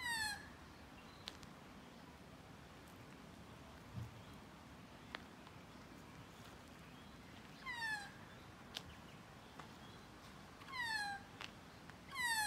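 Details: Magpie at close range calling intermittently: a harsh falling cry at the start, then pairs of nasal, downslurred mewing notes around eight and eleven seconds, with scattered soft clicks in between.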